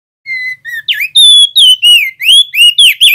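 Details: Male crested darkeye singing the rolling 'ngeroll' style used to train other songbirds: soft flat whistles open, then loud swooping and rising whistled notes follow in a rapid, uneven sequence.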